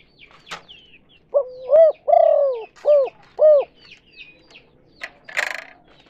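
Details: Spotted dove, called tekukur or derkuku, giving a kuk 2 lure call used to attract other doves: a rising coo, a long falling purred note, then two short arched coos, with faint high chirps of other birds around.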